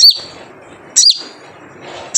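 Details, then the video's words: Wild crimson sunbird 'jrejet cuit' lure call: two sharp high chirps with a falling flick and a trailing thin whistle, about a second apart, a third starting at the end. "Jrejet Cuit Suara Panggilan Khas Sogon Liar untuk pancingan sogon agar gacor"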